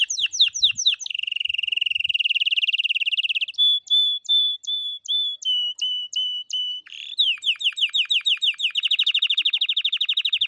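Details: Canary song played to train silent young canaries to sing: fast rolling trills, a long steady buzzy roll, then a series of clear whistled notes, followed by rapid repeated chirping phrases.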